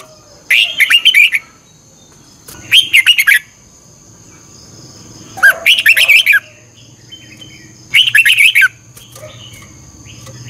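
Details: Red-whiskered bulbul giving its morning 'chè căng lửa' song with a 'xoắn kép' voice, used to train other birds: four short, chattering warbled phrases spaced roughly every two and a half seconds, with a faint steady high tone throughout.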